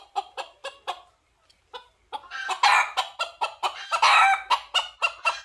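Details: Red junglefowl calling to seek a female: a run of sharp, evenly spaced clucks, a brief pause, then rapid loud clucks that swell into a harsh, rasping crow-like burst.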